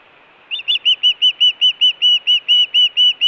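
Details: Osprey on a Montana nest in June 2017, food or alert calling. Half a second of quiet, then a steady, rapid series of loud, clear whistled notes, about four per second.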